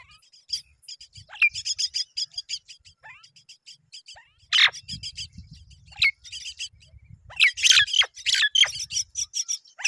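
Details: Myna chicks fed by both parents: scattered high chirps and raspy calls, with louder harsh squawks breaking in, likely from the adults.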